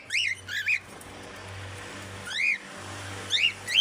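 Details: At the Knoxville Zoo, a 30-year-old African grey parrot gives impressions as bright arched whistles, a few quick pairs then a single swooping note, over a steady low hum.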